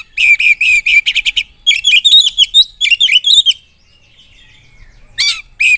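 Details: Oriental magpie-robin song used to provoke rival birds: fast runs of harsh repeated chattering notes, then a varied warbled phrase of rising and falling whistles, a short pause, and further clipped notes.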